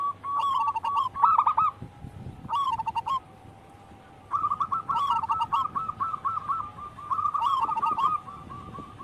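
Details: Local wild-type zebra dove song: short clusters of mellow coos, a quiet gap, then a run of rapid, bubbling cooing notes ending in a final burst.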